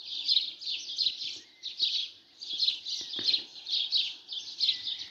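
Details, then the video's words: Sparrows in the morning, chirping continuously in overlapping bright tweets that swell and fade in quick bursts, with a few short rising whistles among them. "عصافير الصبح"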